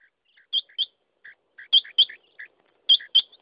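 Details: Quail giving short high clipped notes in pairs, alternating with softer lower notes, in a quick repeated phrase about once per second.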